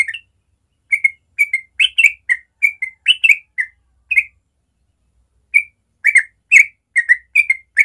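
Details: Yellow-vented bulbul singing natural morning song: rapid, bubbly rolling runs of short chirpy notes in quick bursts, with a brief pause midway; used to spur young bulbuls to learn the rolling song. No other sounds.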